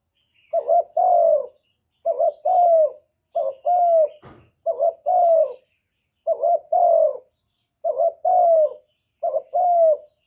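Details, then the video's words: Spotted dove decoy cooing to lure and stimulate other doves: seven paired phrases, a short clipped note then a longer, slightly falling mellow coo, repeated every one and a half seconds, with one sharp click midway. "CU ĐẤT GÁY GỌI CHIÊU GÙ, thúc kèm kích bổi hay, chim cu đất gù, chim cu gáy mồi cây, tiếng cu cườm"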